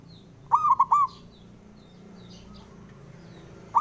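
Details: Male zebra dove of local Indonesian stock calling to encourage silent birds: one short ringing phrase of three looped coo notes, then quiet, with a fresh phrase starting at the end.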